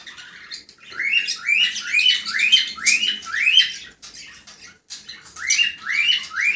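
Cockatiels give a steady run of shrill, rising whistled calls, a bit more than one every second.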